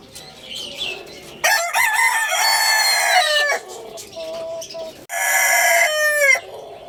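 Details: Rooster crowing twice: a loud, harmonically rich crow with a rising start and long held middle that drops at the end, then a second crow after a short gap, with faint chatter between.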